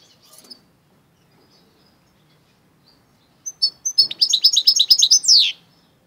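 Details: Goldfinch × canary hybrid, quiet at first, then bursting into about two seconds of fast, high twittering song with rapidly repeated chirps ending in a sliding buzzy note.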